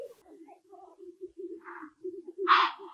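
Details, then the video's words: Black grouse cocks at a spring lek in Kuusamo, Finland, where the cocks fight each other; a steady, low bubbling coo rolls on throughout, broken by a short hissing sneeze midway and a louder harsh hiss near the end. "ACTION guaranteed at the BLACK GROUSE lek"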